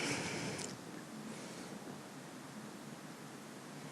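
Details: Quiet broadband hiss with a brief rustle in the first second, with no animal sounds.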